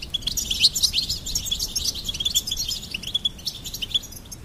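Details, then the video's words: Goldfinch pouring out a rapid stream of bright, high chirps and jingling trills, louder at first then settling into quicker repeated tweets. "Charming Goldfinch Peep Fun for bird stimulation birds chirping"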